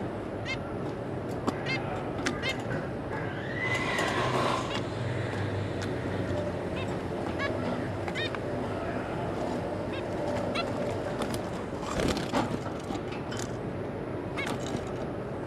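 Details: Zebra finches, a pair with their three juveniles, recorded 26 May 2022, give short, nasal, toy-trumpet beeps, repeated irregularly several times a second, over a steady low hum of room noise.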